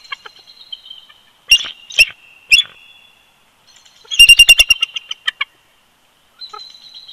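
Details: Winter duet of a bald eagle pair at the old snag nest, Big Bear Lake, California, from a live nest camera: three separate shrill yelps, a pause, then a quick rattling burst of high-pitched chitters and a faint closing squeak.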